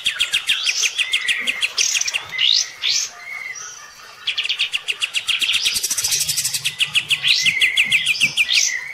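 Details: Olive-winged bulbul kept as a pet, sparring with a neighbour's bird while bathing, mixes upward-sweeping whistles, buzzy trills and a quieter gap before a dense chattering burst.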